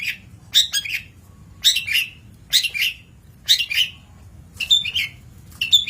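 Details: Long-tailed shrike, recorded as training material for other birds, delivering grating, squawky bursts of rapid notes in a steady series about once a second, each burst a cluster of scratchy chirps.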